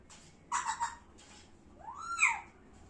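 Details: Talking parrot indoors gives a short burst of harsh, buzzy, speech-like syllables, then after a pause a single clear whistled note that rises and then falls; quiet room background.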